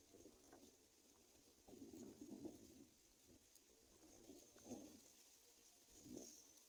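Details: Hungry Greater coucal chicks being brought locusts by an adult give low, rough, throaty bursts, about four over several seconds, with a faint steady high insect hum behind.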